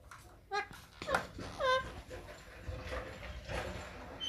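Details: Green ringneck parakeet kept indoors while playing and feeding, giving a short run of sharp harmonic squawks in the first two seconds, followed by rustling and handling noise.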